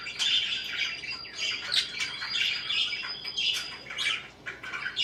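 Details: Constant warbling chatter from a group of parakeets, soft trills and high chirps blending together, with a faint thin whistle running through the first half.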